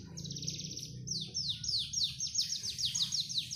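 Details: Panda canary gives a short buzzy trill, then a steady series of sharp, high downslurred notes repeated about four times a second.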